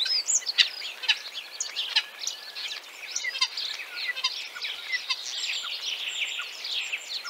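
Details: Song of a Common Starling, Central Russia: a continuous, busy medley of squeaky chirps, high-pitched whistles and crackling clicks, varied and unrhythmic throughout.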